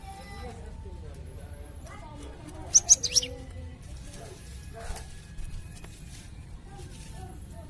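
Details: Cinereous tit, a songbird prized by bird keepers for its melodious voice and used as a tutor bird: one quick cluster of three sharp, very high chirps midway, with low hum and faint murmurs around it.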